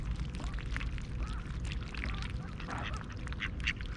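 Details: Six mallards, a mother and her nearly fully grown brood, at a town-park pond in Tallinn, Estonia, at 6:30 am in mid-July 2021 while being fed oats, give short, rasping quacks and chatter in loose bursts over a steady low rumble.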